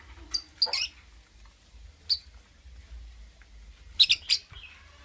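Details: Lovebird in the morning giving short shrill high chirps in three bursts, a quick double chirp, a single note, then a rapid cluster of sharp squeaks near the end, with quiet gaps between.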